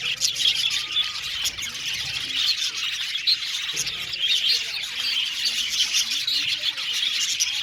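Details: Aviary colony of budgies chattering nonstop: overlapping high twittering and chirps form a steady wall of sound, with brief squeaky notes rising out of the din throughout.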